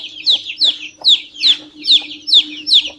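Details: Young chicken chick giving piercing peeps, each a quick falling whistle, seven in three seconds at a steady pace, with a low droning hum behind.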